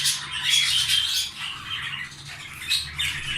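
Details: Caged canary breeding pair that has laid eggs, indoors: high, scratchy chirps with a few short, thin whistled notes. The notes come in uneven bursts of about two per second, with a faint low hum underneath.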